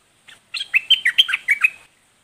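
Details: Red-whiskered bulbul song: a single short chirp, then a lively phrase of about eight liquid whistled notes rising and falling, finished in under two seconds in quiet surroundings.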